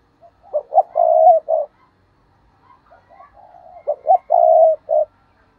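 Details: Decoy spotted dove stutter-cooing, called 'gù cà lăm', to excite rival doves: two phrases of quick stammered notes swelling into a sustained mellow coo, with quieter murmured coos between.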